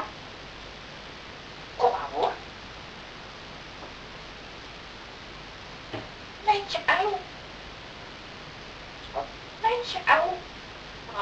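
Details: Parrot filmed talking in Dutch: short speech-like bursts of clear syllables come in three groups, near two, six and ten seconds, each a quick run of two to four voiced syllables, separated by quiet pauses with faint room hiss.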